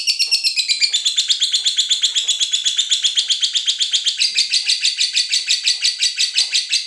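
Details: Cinderella lovebird in full ngekek, a continuous high, harsh chattering of evenly pulsed notes, a few each second, kept up without a break, used to prompt other lovebirds to sing.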